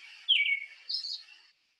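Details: American Robin singing two short, clear warbled phrases, the first sliding downward and the second pitched higher, with a quiet background and no other sounds.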